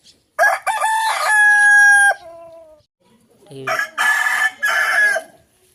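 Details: Rooster crowing, recorded on a smartphone: a loud, drawn-out, harmonic cock-a-doodle-doo lasting nearly two seconds and ending in a fading tail, then after a short gap a second, harsher and broken crow in two bursts.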